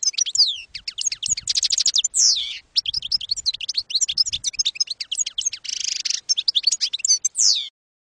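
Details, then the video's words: Campero-style European goldfinch song for educating young birds: a long, nearly unbroken flow of fast, high tinkling notes, with trills and harsh buzzy segments mixed in and a rising sweep near the end. "NUEVO CD CAMPERO PARA EDUCAR JILGUEROS"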